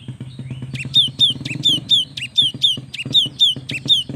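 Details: Young cinereous tit singing profusely, used to stir lazy young tits into song: a quick series of sharp high notes, each dropping in pitch, repeated about every quarter second, over a low rhythmic thumping background.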